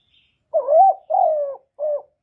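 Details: Spotted dove giving its calling coo, played to excite caged decoy doves: three mellow low notes, a rising swelling first coo, a longer level second, then a short clipped third, on a quiet background.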